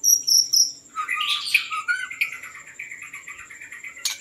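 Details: White-rumped shama in song used to lure birds: high whistled notes near the start, then a varied run of warbled, chirping phrases with a steady thin high tone underneath and faint insect-like buzzing.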